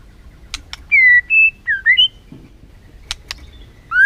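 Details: Short white-rumped shama lure phrases meant to provoke a lazy bird: a few clear, separate whistles, some steady, some dipping and rising, with faint clicks between.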